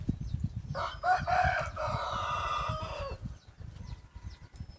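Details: Red junglefowl decoy cock crowing: one drawn-out, harmonic-rich crow lasting about two seconds, strong at the start and then held level before it stops abruptly, over steady low rumbling background noise.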